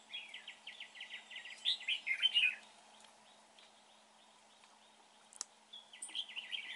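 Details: Red-whiskered bulbul during trapping, praised for its voice: a fast run of clipped chirps swelling into louder, rougher notes, then a quiet gap, a click, and the chirping resuming.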